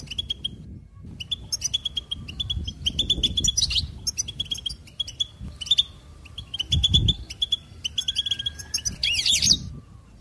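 A goldfinch sings a fast, tinkling run of bright twitters and short buzzy trills, repeated in bursts, with low rumbling background noise.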